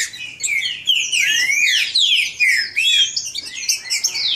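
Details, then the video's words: Great-billed seed finch, kept by a registered breeder, singing to stir up another bird: rich, fast song of sweeping whistled slurs and rising and falling notes, delivered in dense phrases with brief pauses, no other sounds. "BADERNA DE TRINCA FERRO, 1HR PARA ESQUENTAR O SEU."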